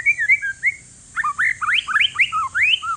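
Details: White-rumped shama, a one-year-old bird of Aceh forest lineage, Indonesia, used to get other shamas singing: short whistled phrases, a brief pause, then a burst of sweeping rising and falling notes; constant high hiss behind.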